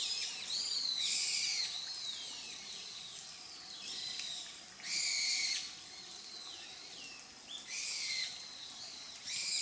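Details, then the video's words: Grey wagtail, recorded between July and December 2023, giving short, sharp, high chirps with downward-curving notes, separated by gaps of a few seconds, over a steady rushing background noise. "Grey Wagtail ( Motacilla cinerea )"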